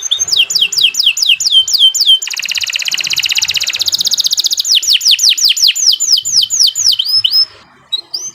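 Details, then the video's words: Canary song used to train other birds: rhythmic descending whistled swoops, a long fast buzzy trill of tightly repeated notes, then more falling sweeps before fading out. "Kicau Burung Kenari 122 II LUAR BIASA GACOR PANJANG Cocok untuk Masteran"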